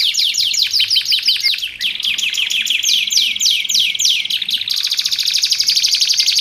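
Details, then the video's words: Canary in full song for training and luring: a run of rapid descending swoops about three per second, then a quicker series of falling notes, ending in a steady high buzzing trill. "Suara Kicauan Burung Kenari Menggila Untuk Masteran Dan Pikat"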